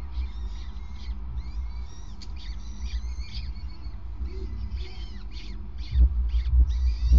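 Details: At a peregrine nest in the evening of 5 May 2019, the male hands over prey on the grating. A rapid series of short, clipped harmonic notes repeats about twice a second, with thuds near the end and a constant low hum.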